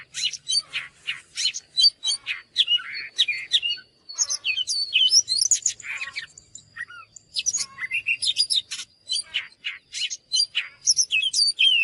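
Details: Oriental magpie-robin in vigorous song: rapid sequences of clear whistles, upslurred and downslurred notes and scratchy chips, delivered in tight phrases with brief gaps between, a thin continuous high whine in the background.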